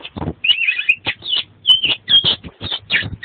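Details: Oriental magpie-robin singing full, varied song for a tutor recording: scratchy warbles and short whistles mixed with frequent loud clicks and knocking.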